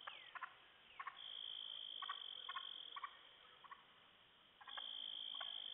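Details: Wild turkey hens upset by repetitive calling from a poacher on a hill near sunset give abrupt stacked clucks, often doubled, roughly every second, while a continuous high insect whine fills the background.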